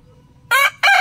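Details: Rooster in the morning giving two loud, abrupt, harsh crowing bursts in quick succession, each cut short, after near silence with a faint low hum.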